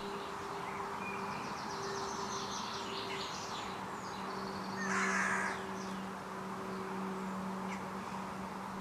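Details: A lone carrion crow calling almost without a break a few metres away behind branches, on a windy, cold May day at Vossmoor in 2020. One harsh, hoarse caw midway over a steady low hum, with faint chirps of small birds earlier.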